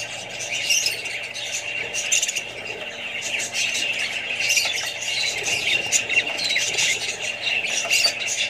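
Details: Kept Australian budgies among other birds and young, squawking and warbling continuously as a crowded flock, sharp chirps scattered through the dense chatter and a constant low hum behind.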